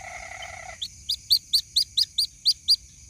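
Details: Chick of the white-breasted waterhen calling for its mother: a short nasal buzz, then nine evenly spaced, sharp, high peeps over about two seconds.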